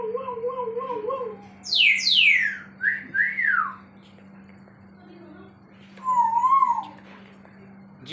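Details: African grey parrot giving wavering low whistles, then loud steep descending swoops, a rising-falling note and a later wobbling whistle. A steady low hum runs beneath and faint music plays.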